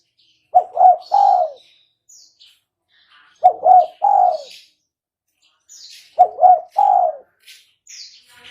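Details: Spotted dove cooing as a lure for trapping, three low phrases roughly every three seconds, two quick notes and a lengthened coo, with faint high chirps of other small birds between.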